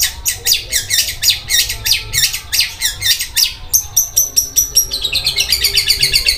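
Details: Long-tailed shrike in full song, its voice likened to a sewing machine and described as very rough: harsh, buzzy broadband notes about three a second, then a quicker chattering run of clipped notes in the last two seconds.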